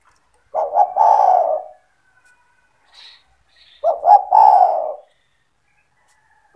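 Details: Spotted dove (tekukur) in lively calling form, kept by its owner and played to lure other doves: two low, mellow phrases of short notes then a long coo, with a faint, brief high chirp between them.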